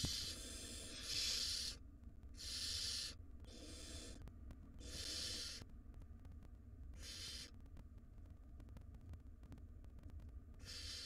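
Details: Wild barn owl chicks being fed in a nest box, one swallowing a big rodent; repeated harsh hissing screeches about 44 a minute, irregularly spaced, fading mid-way, low background hum.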